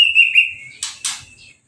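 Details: Orange-headed thrush singing after its moult, once bathed with a hose spray and left uncovered: a long steady whistle sliding slightly downward, then two short bursts of harsh high rasping.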